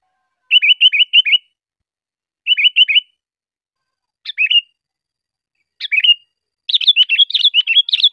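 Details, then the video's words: Sooty-headed bulbul song, used as tutoring material for cage birds: bright, bubbly phrases of four quick chirps, then single slurred notes, ending in a fast jumbled chatter, against complete silence. "suara burung kutilang"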